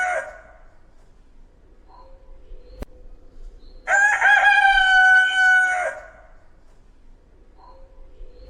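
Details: A rooster gives one full crow of about two seconds, loud and strongly harmonic with a slightly wavering pitch, set between quiet stretches that hold a single sharp click and faint short clucks.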